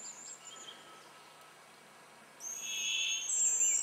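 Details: Springtime Hazel grouse at its lek in Russia, giving a loud, sustained, piercing high whistle over a lower, rougher tone in the second half, preceded by a faint thin note.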